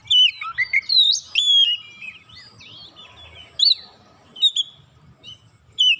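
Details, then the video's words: Oriental magpie-robin, provoked once and answering with emotional song full of borrowed phrases: an opening cluster of sweeping whistles, softer mid-pitched warbling, then scattered sharp upslurred notes. "Kacer sekali pancing langsung emosi bongkar isian"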